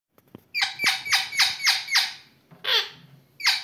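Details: A pet Indian ringneck parakeet, a talking and dancing bird, gives a rapid run of six harsh, falling squawks, then two more after short pauses; no clear words.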